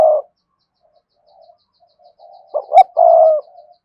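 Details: 'Thúc gù' cooing of a spotted dove, a lure to stir other doves into answering: a brief low coo, a stretch of faint soft murmurs, then two quick notes leading into one long mellow coo.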